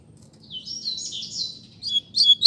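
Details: Caged Double-collared Seedeater in a singing contest between two birds: high, thin warbled phrases with slurred whistles and trills, rising to louder, sharper notes at the end, over a faint low background hum.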